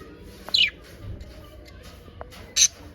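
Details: Happy pet budgerigars: one sharp descending chirp near the start, then a second brief bright burst near the end, with soft clicks and quiet room noise between.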